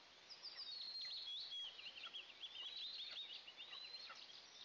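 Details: Two Eastern imperial eagle eaglets in a nest, filmed by a nest camera at their first breakfast of the day on June 29, 2024. Dense run of thin, high-pitched squeaky chirps and whistles, overlapping almost without pause.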